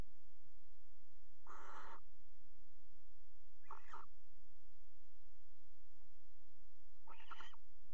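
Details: February nest box recording from a water tower in the Netherlands, barn owls mating on the edge: three harsh shrieks of varying length and tone, spaced about two to three seconds apart, the last thinner and higher.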